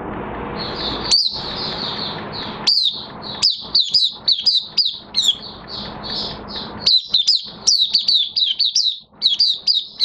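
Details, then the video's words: Oriental white-eye in light moult giving open song on 3 June 2022: soft, continuous high twitters broken by loud, sharp downslurred chirps that grow into rapid, jumbled bursts toward the end. "Mata Puteh Kitaro V1 buka sing in minor moult"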